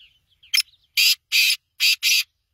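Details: Harsh five-note call of a black francolin: a clipped first note, then four drawn-out grating notes in two pairs, preceded by a few faint thin whistles.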